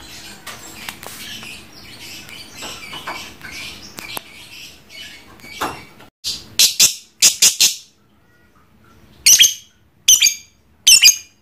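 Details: Pet trondol lovebird chattering continuously in the ngekek style: soft high twittering gives way to loud, harsh staccato bursts in quick clusters, with brief silent pauses between groups.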